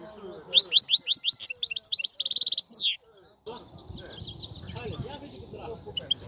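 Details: Loud, rapid twittering from a European goldfinch opens with repeated bright chirps that blur into a buzzy trill, then gives way to softer, distant chatter and background noise.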